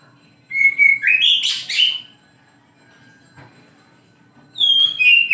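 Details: Kacer, the oriental magpie-robin, singing in the morning: clear whistled notes rising into a loud harsh rasping flourish, a long quiet stretch with a soft tap, then fresh descending whistles.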